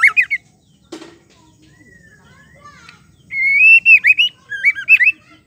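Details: White-rumped shama female, whose call is used to push males to sing: brief whistled notes, a single sharp click, faint soft whistles, then a run of loud, wavering, bright whistles repeated in quick bursts.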